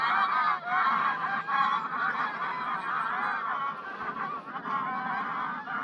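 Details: Geese in a huge flock on 3 September 2022 honking together, many harsh nasal calls layered into a steady unbroken clamour with slight swells in volume.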